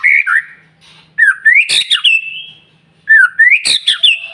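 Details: Rising whistled phrases of a White-rumped shama, used as a morning lure for other birds, each climbing into a harsh burst and a drawn-out high note, repeated twice with a faint low hum behind.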